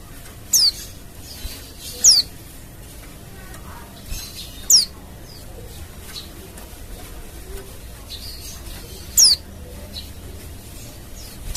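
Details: Wild Oriental white-eye giving calls meant to get other white-eyes to answer: about five thin, high, falling notes scattered across the stretch, sometimes two seconds apart, sometimes longer pauses, over low background noise.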